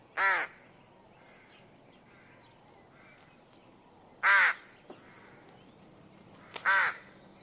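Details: Birds outdoors giving three single harsh, grating calls spaced several seconds apart, each brief and raspy, with faint thin chirps and soft background hiss between them.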